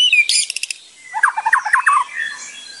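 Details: White-rumped shama (murai batu) singing for training: a fast high rattle of clicks, then a series of lower looping whistled notes, fairly quiet.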